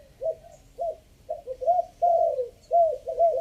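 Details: Three-kuk decoy sound of a spotted dove, Chiang Mai, Thailand, part five: short soft coos spaced apart, then louder, longer sliding coos running close together toward the end.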